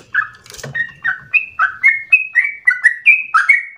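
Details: Sooty-headed bulbul song used as a training and trigger recording: opens with a short low rattle and a sharp noise, then a steady run of clear whistled notes, some flat and some falling, about four per second.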